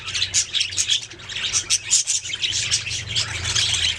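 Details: Several budgies singing, an unbroken chatter of bright, high warbling and chirping notes with little variation in loudness, over a soft low hum.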